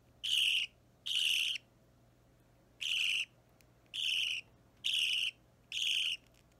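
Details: A roughly three-week-old budgerigar chick, opaline or normal green, restless during hand-feeding, gives six harsh, raspy begging calls, each about half a second long, roughly one per second, against a quiet background.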